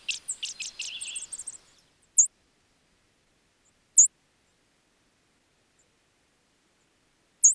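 A sparrow gives a quick burst of high, varied chirping notes for over a second. Three thin, very high single notes follow, spaced a couple of seconds apart.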